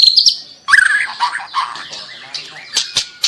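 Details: Juvenile (trotol) white-rumped shama in full song, used to make quiet birds reply; varied whistled phrases, a brief high trill then lower rising whistles and scattered sharp clicks.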